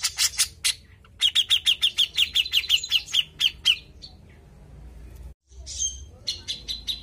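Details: Grey-cheeked bulbul in full, constant song used as a lure to set other birds singing: harsh, buzzy chattering notes in fast even pulses, a run of about fourteen, then scattered rasping phrases.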